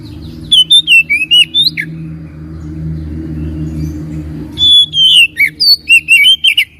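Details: Oriental magpie-robin song used as a lure to make a quiet bird answer: bright whistled notes, sliding phrases and quick stuttering trills in two bursts, with a low humming background filling the pause between them.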